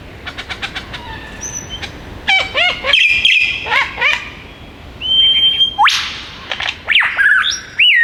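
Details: Wild male superb lyrebird in the Dandenong Ranges bush, Melbourne's east, copying other birds: a rapid ticking series, a steady high whistle, fluttering trills, then loud rising sweeps and broadband rasps, each phrase changing abruptly.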